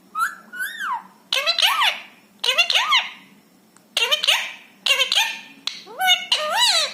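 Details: Rescued ringneck parrot speaking Hindi words indoors: a smooth two-note opening, then five groups of harsh, clipped syllables with arched pitch contours, each group about a second long with short gaps between.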